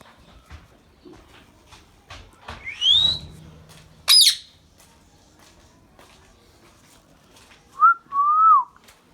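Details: Pet Indian ringneck parrot: a rising, slurred high call, then a sharp, piercing screech, and later two steady, mid-pitched whistled notes. Light clicks and shuffling sounds are heard in between.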